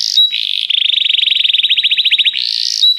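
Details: Pet canary stimulation song: a short clear whistle opens a fast rolling trill of tiny repeated notes lasting over a second and a half. A rising whistle closes it.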